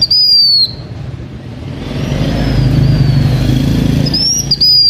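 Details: Lure-singing blue-winged minla of the H'Mông: a high whistled two-part phrase opens, then a long pause filled with low engine-like rumble, and a second bright whistled phrase returns at the end.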